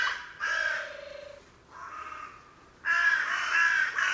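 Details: Carrion crow calling three hoarse, rasping caws in a row, the middle one softer and the last long and loud, spaced roughly a second apart over quiet background.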